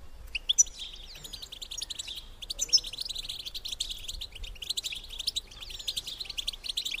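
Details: Female European goldfinch bitbita call, played to stimulate males to mate: dense bursts of rapid high twittering chirps with sharp upslurred notes, separated by brief pauses.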